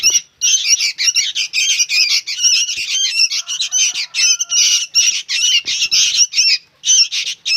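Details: Noisy juvenile sooty-headed bulbuls keep up a loud, rasping chatter, bursts of scratchy squawking notes following one another almost without pause for several seconds.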